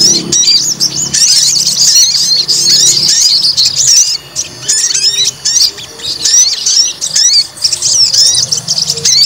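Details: Fighter white-rumped shama, stirred up to test its fighting spirit, unleashes a packed, high-pitched torrent of whistles, rapid rising sweeps and chatter, nearly unbroken apart from a brief lull midway.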